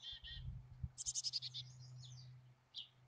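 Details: Wild chickadee at its nest cavity near Emigrant, Montana, on 14 July 2022, the final nesting day, gives a few harsh, buzzy notes, then a quick run of high, thin chips sliding downward, over a steady low electrical hum.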